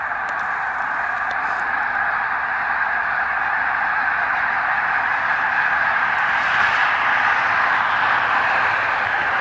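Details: Thousands of snow geese flying over the St-François River near Drummondville, Quebec, in November 2012 during autumn arrival; a steady dense roar of overlapping honking calls from a huge flock, unbroken throughout.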